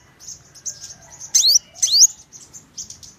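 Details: Purple-throated sunbird: scattered thin high chirps, then two louder sweeping whistled notes about half a second apart, followed by softer twittering notes.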